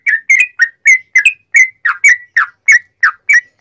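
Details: Sooty-headed bulbul singing a ringing, rapid song with straw-headed bulbul-like phrasing, used for training and provoking other bulbuls. Crisp, liquid chirps tumble out briskly, some with a slurred downward tail.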